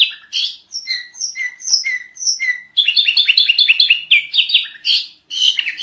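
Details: Sooty-headed bulbul singing a noisy tutoring song: clear whistled notes alternating high and low, then a fast tumbling run of sharp chirps with almost no pauses. No other sounds.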